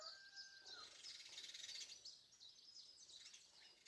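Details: House sparrows going ballistic in a morning dispute near their nests on nearby buildings, Dawn Chorus Day 2020: a continuous tangle of sharp, high chirps with one brief lower whistle at the start.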